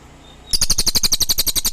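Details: Cililin song starting abruptly after a brief quiet moment: a rapid run of sharp, high, metallic chirps repeated at a steady quick pace to the end.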